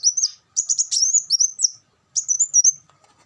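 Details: High, sweet twittering from a Van Hasselt's sunbird. Three quick phrases of thin, slurred notes, each about a second long, separated by short silences, with no other sound.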